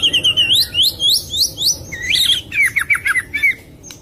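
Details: White-rumped shama used as a singing lure for shamas that won't sing, are stalled or just finished moulting: a series of upslurred whistles repeated about five times, then a quick descending run of clear notes.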